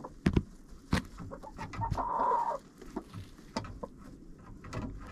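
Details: Chickens inside a friend's coop, recorded on a GoPro placed in the coop: scattered short clucks and taps, with a longer drawn-out vocal note near the middle and soft rustling and pecking around it.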